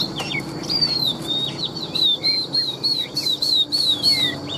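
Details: Tame caged Chinese hwamei, a large-bodied bird kept in Vietnam and praised as a strong singer and fighter: clear whistled notes slurring up and down, short phrases repeated about once a second, with a steady high hum behind.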